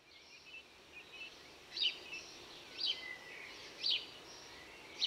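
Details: House sparrow (Passer domesticus) gives short, bright chirps about once a second over a steady high hiss of other birds or insects in the background.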